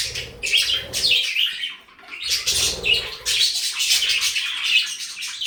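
Budgerigars chattering in a busy stream of high, scratchy warbles and chirps.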